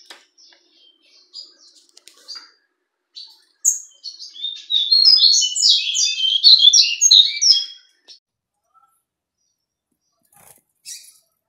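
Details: Double-collared seedeater of the fawn colour, captive, gives scattered soft chips, then a loud sustained phrase of rapid high whistled and slurred notes for about four seconds, trailing off to a few faint notes.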